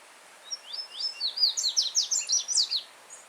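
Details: Yellow-bellied seedeater singing freely in nature: a single firm, melodious phrase of about thirteen quick, sharply slurred whistles lasting roughly two and a half seconds. A stream trickles over stones behind it.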